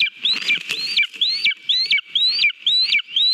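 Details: Lesser spotted eagle at its nest in Latvia, eating a mole on 18 July 2022, filmed by a live nest camera: rapid high whistled calls, each rising then dropping, about seven in three seconds, with faint rustling below.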